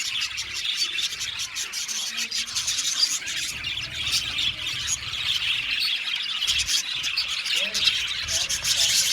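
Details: Colony of budgerigars in an aviary, singing and chirping: a busy wall of high, scratchy warbles and chirps from many birds, rising slightly in loudness toward the end.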